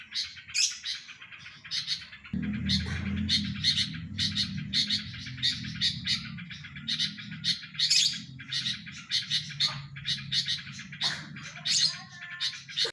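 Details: Sooty-headed bulbul swaying as it sings, delivering steady bursts of high chirpy notes and occasional whistles, while a low droning hum runs underneath from early on.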